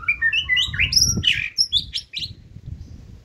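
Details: White-rumped shama in a cage, singing in the 'forest voice' style: a rapid run of bright whistled notes that leap between high and low pitches, over faint low rumbling.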